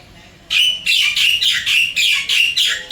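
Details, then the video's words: Wild Javan myna in Singapore at an apartment, calling its mate: seven loud, rasping squawks delivered in steady rapid succession after a brief quiet start. "Kicauan Jalak Kebo liar di Singapura"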